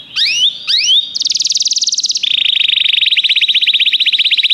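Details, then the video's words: Canary song used to encourage a canary to sing: two upward-sweeping whistles, then a dense high buzzy trill that drops to a lower, steady rattling trill of rapid pulses. "O som de um canário é eficaz para o seu canário cantar"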